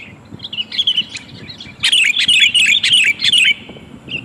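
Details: Female sooty-headed bulbul calling for the male, for luring: a few soft warbles at first, then a loud burst of bright bubbling chirps lasting under two seconds before fading to a brief note.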